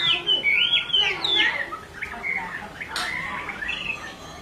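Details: Chinese hwamei pair, the female calling without pause and the male agitated: loud looping whistled slurs at first, fading into softer wavering notes, with one sharp click midway.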